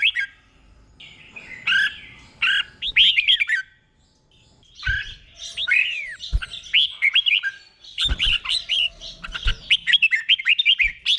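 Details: Red-whiskered bulbul's doubled 'bueng' song, slow and distinct, for caged birds to copy: repeated phrases of sweet whistled slurs building into long rapid runs, with occasional low knocks in the background.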